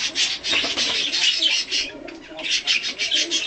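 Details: Tame pet budgerigar, a colour mutation, chattering at feeding time during play and cuddling; fast gritty warble of clustered notes, with a brief softer dip midway before the busy chatter resumes.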